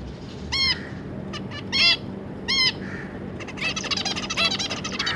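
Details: Zebra finches, a pair with three juveniles, 25 July 2022, give nasal, toy-trumpet calls about once a second, then break into a busy jumble of overlapping chirps from several birds.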